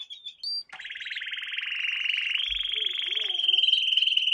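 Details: Training song for young canaries: a brief whistle, then a long rapid buzzy trill that brightens into a clear rolling tour.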